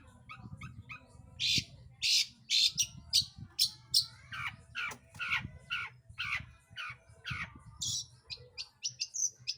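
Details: Long-tailed shrike song used to lure other birds into singing, a fast irregular jumble of harsh rasps, sharp chips and short scratchy notes over a faint low hum.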